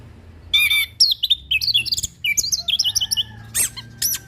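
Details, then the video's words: Orange-headed thrush (anis kembang) in a bird-training tutor recording of steady, settled song: a harsh buzzy burst, then rapid varied whistled and chattering notes tumbling up and down, ending with sharp ticking clicks and a rising whistle. "Anis Kembang Pastol Dengan Suara anis Kembang Mapan"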